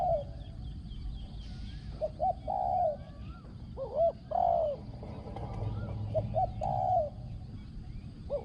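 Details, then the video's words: Cooing of a Thai spotted dove noted for its ringing voice and good coo: short stuttering coos and then a longer falling note, repeated several times amid chirps from other birds and low background rumble. "ต่อนกเขาใหญ่ | เสียงเล็กก้อง คารม หนุนคู คูดีมาก"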